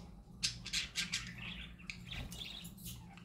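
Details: Parakeets chattering happily, a run of sharp clicking ticks followed by thin squeaky warbles and quick high chirps, low background hum present.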